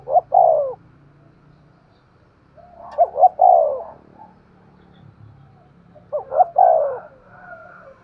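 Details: Spotted dove delivering thúc gù cooing. Three phrases come about every three seconds. Each has two or three clipped notes and a long mellow coo sliding downward, over a light low rumble.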